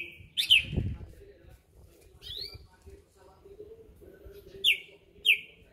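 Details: Greater green leafbird from Berau, kept caged and trained ahead of a song contest, gives scattered bright downslurred whistles, one or two at a time with pauses between, over a low background hum.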